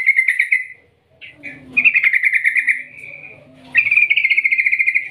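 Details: Yellow-vented bulbul in long ngerol ngetir gacor delivery, played to draw other bulbuls into song: pulsed bubbling trills, a short break, then two sustained rolling runs of rapid notes.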